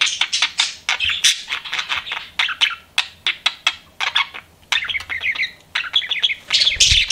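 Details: Chirping from pet budgerigars: quick bursts of sharp clicks and scratchy chirps, then longer warbled twittering phrases with brief gaps between them.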